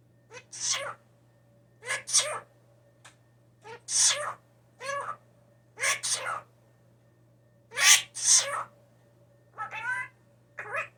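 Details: A hand-raised blue jay, taken in after falling from the nest and known to mimic speech and sneeze a lot, gives harsh, explosive sneeze-like bursts, often in pairs, about every two seconds, over a low electrical hum.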